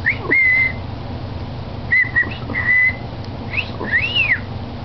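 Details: Pet male cockatiel in his cage gives short, clear whistled notes, some level and some sliding up then down, his kissing noises and imitation of a person.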